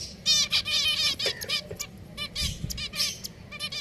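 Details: Kept finches chattering: rapid, buzzy, stacked chirps in dense runs, one bird after another, loud and close, over faint background hum.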